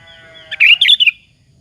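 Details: Sooty-headed bulbul in full, lively song, used as a lure to provoke rival bulbuls into answering: one short bubbly phrase of three quick chirpy bursts, the last trailing into a thin whistle, over a faint low hum.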